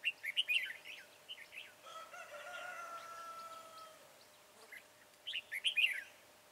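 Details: Red-whiskered bulbul with a slender body, high crest and dark bib, recorded 22 January 2018 while trapping with a decoy bird; bright, quick chirping notes open and close the passage, interrupted midway by a long rooster crow.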